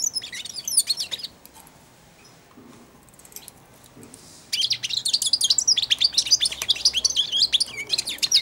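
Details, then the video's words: Caged European goldfinch of four months singing immature subsong beside and onto a hand placed in the cage for feeding; rapid jangling high twitters, a silent gap of about three seconds, then a long continuous chattering warble. "καρδερινούλα κελαηδάει δίπλα στο χέρι αλλά και πάνω σε αυτό!"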